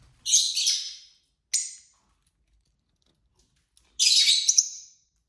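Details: Pet lovebirds playing with a toy give three bursts of shrill, squeaky high chirping: a long burst, a short one, then a longer burst after a pause of about two seconds of quiet.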